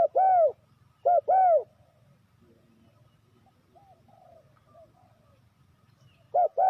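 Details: Spotted dove used as a trapping lure, giving a two-part coo, short then long and arched, twice at the start and once at the end, with faint soft distant bird notes in the pause.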